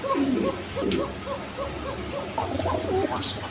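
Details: Pigeon farm with eggs and chicks, repeated low coos beneath a string of short higher chirps, likely from chicks, with faint speech.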